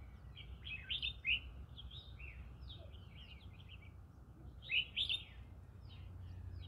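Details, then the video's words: Green-cheeked conure living in the middle of a rice field, giving short harsh chirps in two bright bursts, one near the start and one near the end, over a busy chorus of softer chattering calls and a low background rumble. "Green cheek conure singing"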